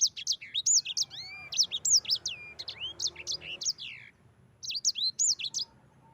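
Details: Yellow-fronted canary singing a long rolling song used as training material for other birds; fast strings of high, sharply slurred whistles and descending sweeps, running for several seconds before a pause and a fresh burst.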